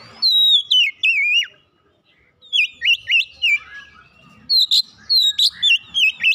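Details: Oriental magpie-robin encouraged to sing: long descending whistles followed by quick rising-falling phrases, a brief silence, then further bursts of sweet whistled notes.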